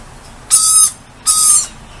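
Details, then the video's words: Lorikeets saying hi to a person outside: two loud, harsh, rasping screeches, each under half a second, spaced about three quarters of a second apart. "Lorikeets Saying Hi"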